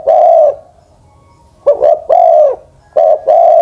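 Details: Elderly spotted dove decoy, ten-plus years old, hooting in deep rounded tones: a long coo, then a stuttered double note and another drawn-out coo, and a further phrase beginning.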